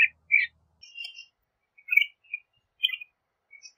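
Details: Northern shrike song of varied short chirps, warbled twitters and squeaky notes in an irregular, chattering sequence.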